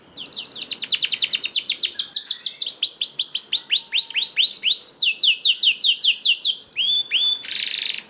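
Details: Canary singing to prompt other canaries into song: fast rattling trills giving way to repeated upward-sweeping whistled notes, several per second, ending with a short harsh buzz.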